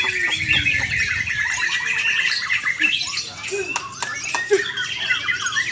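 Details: Caged white-rumped shama in Indonesia, delivering a rich varied song of rapid whistled phrases, trills and sweeping notes, dense and continuous, with a few harsh squawky elements and sharp clicks.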